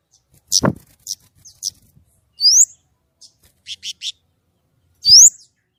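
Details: White-rumped shama in clear 'gacor nembak' song: loud sharp chips, short buzzy notes and two bright upslurred whistles a few seconds apart, with a brief thump.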